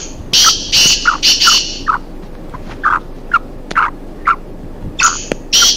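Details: A free-roaming pair of black francolins in a forest: harsh, scratchy grating notes at the start and end, separated by a series of soft, low clucking notes repeated about twice per second.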